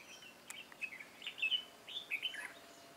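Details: Red-whiskered bulbul heard while being trapped, 13 March 2017: a lively run of clear, warbling whistled notes rising and falling in quick succession for about two seconds, with a few sharp clicks and faint hiss behind.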